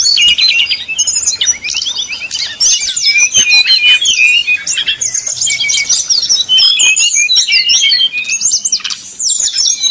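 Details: Brown-chested jungle flycatcher pouring out flute-like 'nyuling' song as a lure for rival birds: dense, loud, tumbling high whistles and chattering trills with barely any pause throughout.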